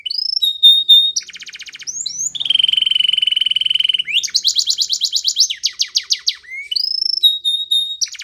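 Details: Spanish Timbrado canary song used for training: a loud, continuous run of rapid metallic trills and rattling tours, steady buzzy rolls alternating with sweeping whistled notes and fast clicking pulses, no other sounds.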